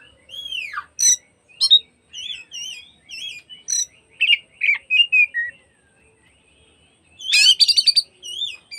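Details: Afternoon oriental magpie-robin song meant to make other magpie-robins sing along and spread their tails: varied loud whistled phrases, slurred and warbling, interspersed with sharp high chips, then a scratchy rapid flourish near the end.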